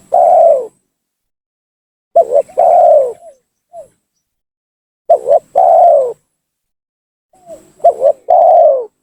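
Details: Lure call of a spotted dove, used when trapping to bring rival doves down: four loud phrases about every two and a half seconds, each a stuttered double note before a long mellow falling coo.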